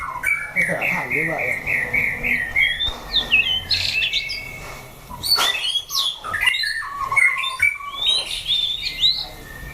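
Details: Caged shama tested as a fighting bird, opening with a run of about six quick repeated whistled notes, then varied sweeping whistles, chattering bursts and high squeaks.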